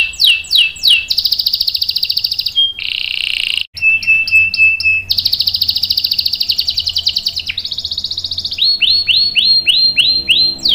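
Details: Canary in full 'ngerol panjang' long-roll song, used as a lure and tutor for young canaries. It weaves sweeping downward notes, long rapid buzzy trills at different pitches, and a closing series of quick descending whistles.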